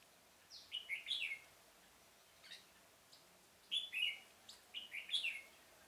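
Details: A decoy red-whiskered bulbul sings to attract wild birds for trapping in a pomelo garden on 25 October 2017: two clear, fluty warbled phrases of tumbling notes, separated by a pause with a few faint chirps.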